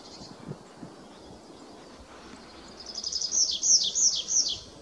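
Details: A tree pipit at Hagestad Nature Reserve, Sweden, on 24 April 2023 sings a fast run of high, thin notes that turns into four or five drawn-out, falling 'seea' notes, each about a third of a second long.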